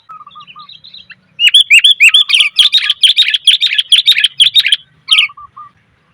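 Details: Female sooty-headed bulbul calling to males: soft whistled notes open, then a dense, rising flurry of harsh chattering chirps lasting over three seconds, ending with a lone sharp chirp and soft whistles.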